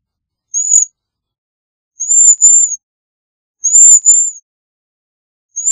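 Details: Cedar waxwing giving very high, thin, whistled notes, some single and some doubled, coming in short bursts about every one and a half seconds against a silent background.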